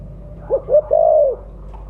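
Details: Spotted dove of the mottled 'blorok' colour form, loud-voiced, used as a lure call: two short rising coos, then a long drawn, slightly falling coo, low and mellow.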